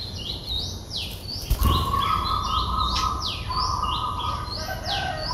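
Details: Nestling Streak-eared Bulbuls, three days old, recorded at the nest in Ubon Ratchathani, Thailand, 5 April 2023. Rapid series of high arched notes, rising then falling, several chicks calling together over a steady hum and faint rumble.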